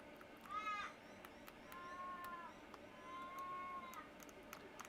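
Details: Australian raven outside giving three slow, drawn-out wailing calls, each sagging at the end like a whining child, while small birds around, wary of it as a nest predator, chirp faintly.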